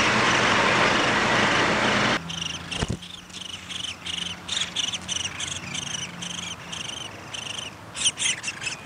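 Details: Downy woodpecker nest on May 20, 2021, with feeding under way: after a loud rushing noise stops, clear short chirps repeat rapidly, roughly four per second, with small pauses between bursts.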